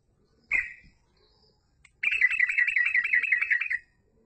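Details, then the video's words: Yellow-vented bulbul in lively song: a single short liquid note, a pause, then a fast warbling trill of wavering whistled notes that lasts nearly two seconds and stops sharply. "Trucuk Gacor Full Ropell"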